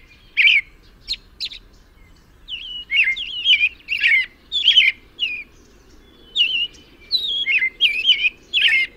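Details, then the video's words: Song of an American robin, a run of clear caroling whistled phrases, each rising and dipping, broken by a few high thin squeaks and a short pause midway; little else audible. "American robin (Turdus migratorius) tweets and sings with an amazing voice."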